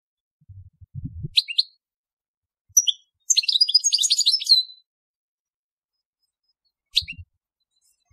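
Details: Telqam-style song of a European goldfinch: clipped high chirps, a fast tinkling twitter lasting over a second, a last lone chirp, and a few soft low knocks in the background.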